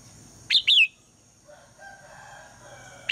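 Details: Female red-whiskered bulbul calling in the morning to prompt the male to sing: one short burst of two or three loud, bright, slurred whistled notes, then quiet with a faint steady hum.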